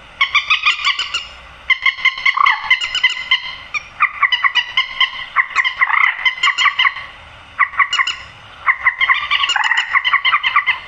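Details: Repeated bouts of grey-headed swamphen squawking, used to attract birds into nets at night: loud nasal, harmonic notes in fast runs of a second or two separated by brief silences.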